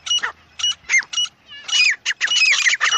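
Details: Jungle francolin call from the wild: grating squawks in separate bursts, then a dense, rapid chatter of scratchy notes with falling slurs in the second half.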